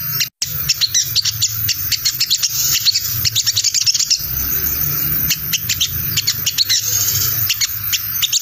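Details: Chattering 'ngriwik' lure of the crimson sunbird, used to draw wild sunbirds in: a quick dropout at the start, then long sequences of shrill, rapid, jerky chips and trills over a low hum.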